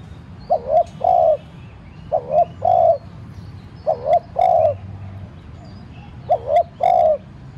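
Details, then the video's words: Spotted dove kept as a decoy bird, cooing to provoke other doves into calling. Four coo phrases, each a quick double note followed by a longer, lower-pitched hoarse note, spaced about two seconds apart. Faint chirps of other birds sit in the background. "cu gáy mồi cây thúc nhẹ kích cu bổi dễ gáy. tiếng cu đất gáy thúc"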